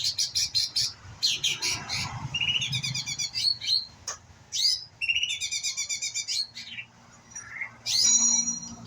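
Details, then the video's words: White-rumped shama youngster practising song: loud bursts of rapid high chips alternate with buzzy trilled runs and brief whistled slurs, separated by short pauses; a faint low rumble lies underneath. "murai batu pastol belajar bunyi"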